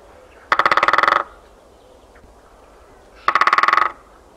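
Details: Winter drumming by a great spotted woodpecker in open countryside, 13 February 2018: two brisk rolls of a dozen or so rapid knocks, under a second each and almost three seconds apart.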